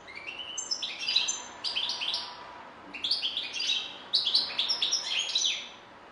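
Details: A goldfinch sings in three phrases, each a quick cascade of bright, sliding chirps, separated by short pauses.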